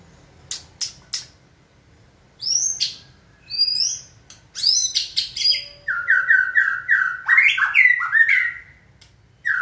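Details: White-rumped shama stimulated by its keeper to sing: a few sharp clicks and high upslurred whistles, then a rapid rich sequence of rolling slurred notes that ends in repeated descending whistles.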